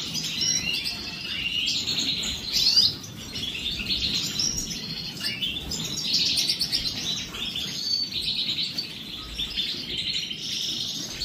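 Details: European goldfinches at their morning bath produce long runs of bright, chattering twitters and short trills, phrases overlapping, with a soft steady hiss beneath.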